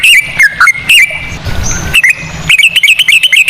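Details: Sooty-headed bulbul ropel song with cucak rowo phrasing, used as a lure: a few loud whistled notes, a brief noisy gap, then a quick run of dipping, rising whistles.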